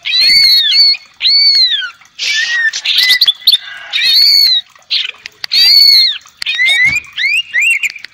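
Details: Greater green leafbird singing as a lure to provoke another bird into energetic singing: loud, clear whistled phrases with arching and falling slurs, broken by short pauses, about a dozen varied bursts in quick succession.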